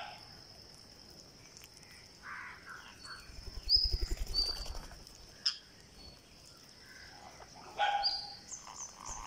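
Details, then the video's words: Green parakeet being fed on day 49. Soft chirps and short whistles repeat unevenly, with a quick pattering run of notes near the middle and a sharp click after it. A faint steady high tone runs throughout. "GreenParakeet Feeding"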